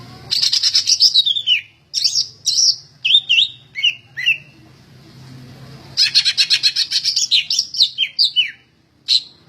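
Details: Greater green leafbird in full song, said to be ready for contest hanging: rapid rattling series of high sharp notes mixed with loud downslurred whistles, a pause, then another fast chattering and whistling phrase.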